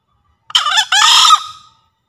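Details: Javan green junglefowl crowing, a recording used as a master sound for newly caught or quiet birds and as a forest lure: one harsh two-part crow, a short rasping first note, a brief gap, then a longer buzzy note fading out.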